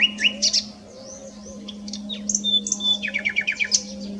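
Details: Common nightingale song recorded at S'Albufera on 9/6/23, with scattered high whistles, a long thin held whistle, then a rapid series of repeated descending notes, all over a constant low background hum.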